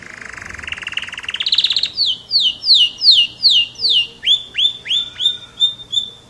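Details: Canary, an F1 bird, singing a rising buzzy trill that swells, then a string of downward-swept whistled notes, followed by upward-flicking notes repeated about every third of a second.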